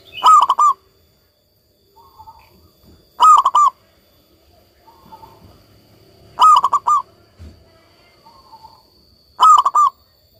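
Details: A local zebra dove singing steadily, with four cooing phrases repeated about every three seconds. Each starts with an upswept note and breaks into quick stuttering notes, and quiet murmuring coos fill the gaps.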